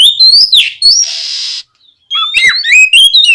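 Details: Energetic oriental magpie-robin song meant to stir other magpie-robins into singing: fast rising whistles and clicks, a harsh buzzy hiss in the middle, then a quiet gap before another burst of varied whistled notes.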